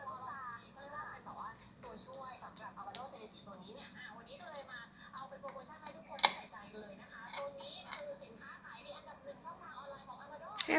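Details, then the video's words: A pet cockatiel sings a mimicked Happy Birthday tune in warbling, voice-like phrases, with a few sharp clicks, in a quiet room. "นกค็อกคาเทลร้องเพลงHappy birthday"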